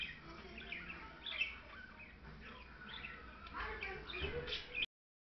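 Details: Two pet parakeets, a white male and a blue female, give rapid squeaky chirps and short warbled notes in bursts for about five seconds, with faint human voices in the background.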